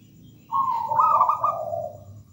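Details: Local zebra dove in full, lively song: one rolling, trilled coo phrase of about two seconds, starting with a bright burst and easing down into a softer, lower purr, over a faint low hum.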